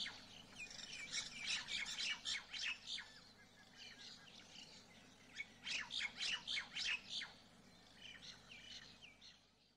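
A white parrot gives bursts of harsh, scratchy squawks in rapid runs of several notes, pausing between bursts, over a low steady hum.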